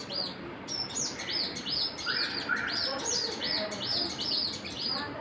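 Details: Several small birds chirping together, a steady stream of bright, arching high notes repeated rapidly at about two to three per second, with lower warbled phrases mixed in and a soft background hiss.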